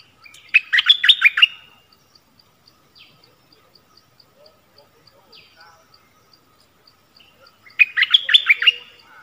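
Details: Two rich, rapid chattering bursts from a Cream-vented Bulbul decoy bird, set about seven seconds apart, used to draw wild birds down. Faint, evenly spaced ticks and scattered quiet calls fill the gap.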